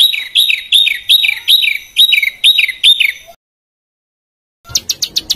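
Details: Burcil besetan, a small songbird, in a harsh master recording for tutoring caged and contest birds: loud piercing notes with falling tails, repeated every half second, then a pause and a brief burst of high chirps.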